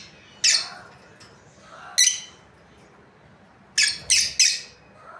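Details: Breeding pair of pet lovebirds, described as happy: loud, harsh, screechy chirps in short bursts, one near the start, one near two seconds, then three in quick succession near the end, with quiet pauses between.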